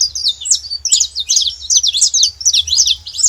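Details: Noisy saffron finches at a feeder, giving rapid, high-pitched chirps and twitters in quick overlapping bursts with no pauses, over a faint low hum.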